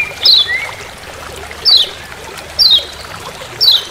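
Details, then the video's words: Lemon-bellied white-eye (kecial kuning) in forest on Lombok giving its 'ciak ciak' call: sharp, high, downslurred chips, four spaced about a second apart, with a soft lower whistle after the first and faint background hiss. "Masteran Kecial Kuning Ciak Ciak Di HUTAN"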